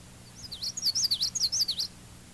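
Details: Another common yellowthroat song variation, a type said to vary regionally: a rapid rolling series of high, swooping connected notes, about seven phrases lasting just over a second, over a faint steady low hum.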